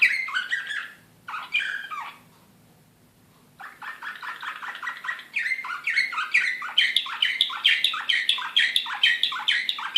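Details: Belgrade, 2016: excited Serbian slavujar canary gives two quick chirping bursts, a silent gap, then a long run of rapid repeated notes becoming a fast, bright, rolling trill.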